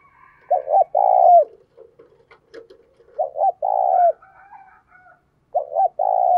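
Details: Decoy spotted dove cooing to stir up males: phrases of two short coos followed by a long sustained coo, repeated three times with soft murmurs and brief quiet gaps between.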